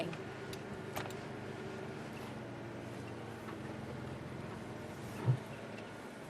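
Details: Low outdoor rumble with scattered ticking clicks and one dull knock near the end, and no animal calls.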